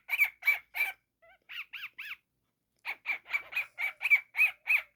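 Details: Pet cockatiel chick calling: three harsh squawks, a short pause, three softer whistled notes that bend up and down, silence, then a quick run of about ten raspy repeated squawks.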